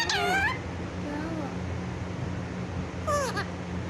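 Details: Pet parrot at home around 6 in the morning, said to be talking and calling "mummy"; two short, harmonic, voice-like utterances with sweeping pitch, one at the start and one near the end, over a steady low hum.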